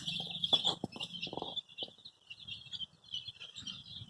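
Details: Baby chicks, dyed in colours such as red, yellow, green, pink, purple, orange and white, playing and peeping: a dense chorus of high, thin cheeps overlapping continuously, with soft low scuffling and rustling underneath.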